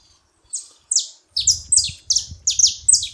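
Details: Several saffron finches together, making noise: bright, downslurred chirps that begin after a short pause and then come in quick overlapping pairs, high-pitched and sharp, with a faint low rumble underneath.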